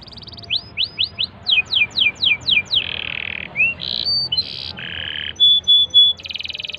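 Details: Canary song for prompting a silent canary to sing: a run of about ten sharp downslurred whistles, then buzzy rattling notes, a rising slur, and steady high tones and trills.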